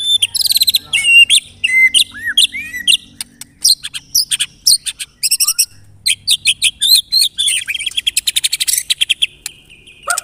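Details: Pancingan lure song of a white-rumped shama, meant to set other shamas singing: quick, varied phrases of sharp chips, falling whistles and clipped notes, ending in a fast, bright trill.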